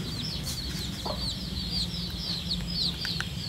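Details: Wild-type red junglefowl chicks, diluted lineage, foraging alongside a hen. Faint, high, downslurred peeps come in a loose chain, with an occasional soft click over a low background hum.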